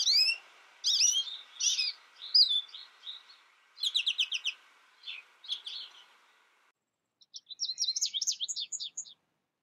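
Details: Isolation-reared young American goldfinch, taught by a recording without other birds, sings several separated bursts of high twittering notes, some phrases fast and trilled, with quieter pauses between and a soft background hum.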